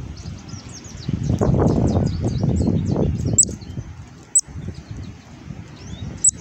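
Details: A female Black-capped Chickadee gives rapid, high, thin raspy fledgling-like begging notes, several per second, with a few sharper chips, begging food from the male before nesting season, over a low rumble of wind or handling noise.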